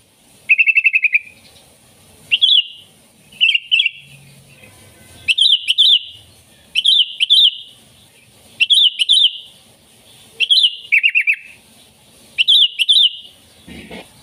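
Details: Sooty-headed bulbul song used as a lure for wild bulbuls: bright warbled phrases of quick looping notes, repeated in bursts every second or two, with short pauses between and faint low background rumble.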